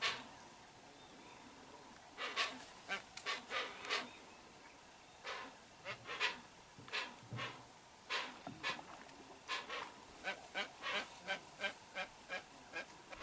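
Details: Hoatzin parents with a chick in riverside wetland, heard from inside a boat, give harsh, wheezy, panting hisses in short bursts, several per second at times, over a steady low hum.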